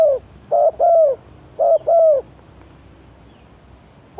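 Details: Spotted dove luring call for trapping wild birds: two quick groups of hollow, gently falling coos, a short note leading into a longer drawn-out one, then silence and a last clipped note.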